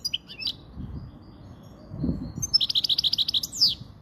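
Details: Spanish European goldfinch song for training young birds and exciting females, brief twittered notes at first, a quiet gap with low thumps, then a fast even trill of about a dozen chirps ending in a falling buzzy slur.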